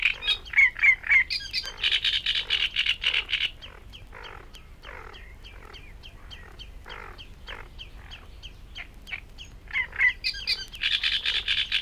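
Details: In reed beds at Matsalu, a Great Reed Warbler sings loud, harsh, croaking phrases of grating notes, roughly four per second, broken by higher squeaky bursts; no other clear sounds.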